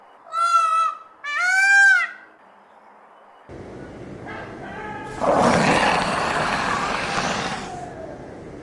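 Indian peafowl gives two loud, nasal, wailing calls in quick succession, each rising then dropping. A different recording follows, with a burst of broad rushing noise.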